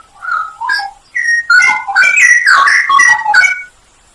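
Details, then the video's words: Straw-headed bulbul in a full 'isian nembak' masteran song: a few hesitant whistled notes, then a dense run of rich, bubbling, slurred whistles rising and falling, ending abruptly in quiet. "masteran cucak rowo full isian nembak"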